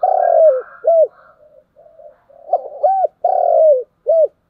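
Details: Spotted dove morning calling: a long sustained low coo and an arched note, soft murmurs, then the phrase again with a quick hoot, a long coo and a final arched note.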